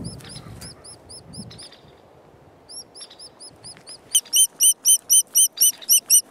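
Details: A White-headed Woodpecker chick at park headquarters, with its mother out finding food, gives high, thin chirps, first soft and scattered, then a loud, even run of about four per second.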